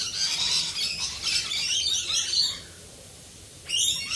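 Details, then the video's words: Rainbow lorikeets in the rain chatter in harsh high screeches and shrill twitters, several overlapping for over two seconds, then a pause before another burst; steady rain hisses beneath. "Rainbow Lorikeets Singing in the rain"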